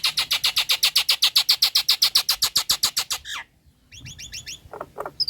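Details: Nias hill myna female, breeding condition, calling to a male: a steady, rapid train of about twenty identical buzzy notes over three seconds, a short pause, then quick high chirps and a couple of lower harsh notes.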